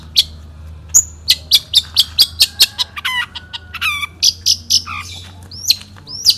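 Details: National champion Long-tailed shrike from 2016, one-point singing style: a steady series of sharp high chips about every quarter second, broken by two harsh stacked buzzy notes, a brief flat whistle and ending with upward-slurred whistles.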